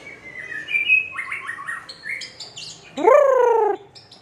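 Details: White-rumped shama from Aceh, a bird said to be growing rare there and bred on farms; a varied song of slurred whistles and quick chirps, ending in a loud, long, descending, harmonic whistle.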